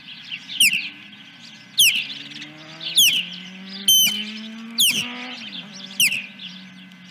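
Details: Osprey at the Dunrovin Ranch nest, 10 July 2021, first fish: sharp, high piercing notes sliding downward, repeated roughly every second, over softer background chirping and a low droning hum that slowly rises.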